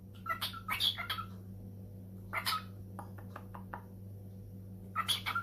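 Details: A pet cockatiel indoors, "answering" a phone call, gives clusters of bright, warbling chirps in several short bursts over a low steady electrical hum.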